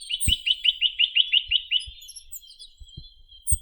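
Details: Chinese nuthatch (Sitta villosa) singing a fast, even series of about nine short, bright, upslurred notes in one and a half seconds, then a thinner continuous twittering, with a few soft low thumps.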